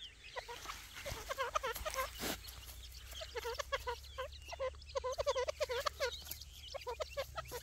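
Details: Young grey francolins being fed: a busy stream of bright, descending peeping notes repeated quickly, broken by a brief noisy burst near the middle.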